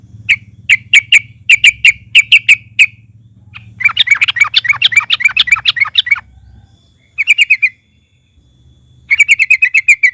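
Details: Yellow-vented bulbul (trucukan) in lively narung and ngalas style singing, used as a lure: loud series of sharp repeated notes, then a fast chattering burst, then more quick note runs, with a faint low hum beneath.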